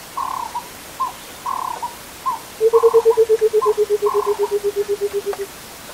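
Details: Burchell's coucal, also called the rainbird, gives a long hollow bubbling run of about twenty low notes that falls slightly in pitch and slows at the end. Another bird's short, higher paired notes repeat before and during the run.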